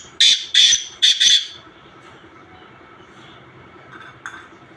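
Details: Black francolin, known locally as kala teetar, giving mixed calls: four loud, harsh, grating bursts in quick succession within the first second and a half, then near quiet with one faint short note near the end.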